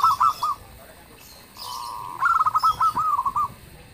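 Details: Local zebra dove singing loudly enough to draw replies, with a brief cooing burst, a steady hum, then a longer phrase of rippling notes and spaced coos.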